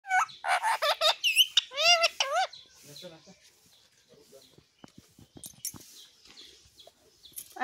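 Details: Pet talking parrot producing a run of loud, wavering, harmonic speech-like syllables and squawky whistles, then quieter clicks and rustling.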